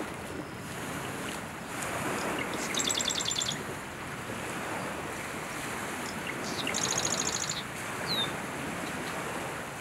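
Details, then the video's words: A male Marsh Wren, on a July morning before dawn in summer 2020 in Southern Ontario, Canada, singing from 9-foot cattails, gives two short, rapid, high rattling trills about four seconds apart over a steady roar of wind or surf. "Marsh Wren singing up a storm"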